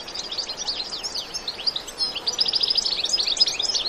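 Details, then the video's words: European goldfinch singing excitedly in bitbita style, without effects: rapid, high, jumbled twittering chirps run together, growing louder and busier toward the end. "بتبتة حماسية"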